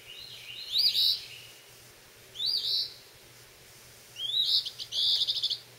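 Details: A fledgling phoebe up under the porch roof catching bugs, May 21, gives three high, raspy, upslurred calls about two seconds apart, the last one stretched and stuttering, over a faint low hum.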